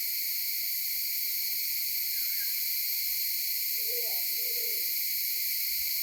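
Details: Phone recording of a Maleo on Sarva Island, Kampung Ugar: a single low double-noted hoot near the end, set against a dense, unbroken high insect hum.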